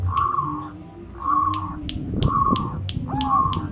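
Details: Zebra dove song: mellow, hollow cooing phrases repeated roughly every second, each a short level purring note, with sharp clicks and some low background noise between phrases.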